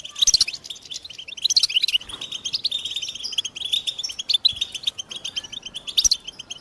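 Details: European goldfinch song: lively chattering twitters broken by sharp, ringing high notes that recur roughly every one and a half seconds, over soft background hiss.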